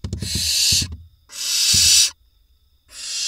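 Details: Nestling barn owls in a nest box in Israel, 27 June 2021, while the smallest young grab a vole delivered by the male. Harsh, drawn-out hissing screeches come in bursts with quiet gaps, and clattering knocks are heard early on.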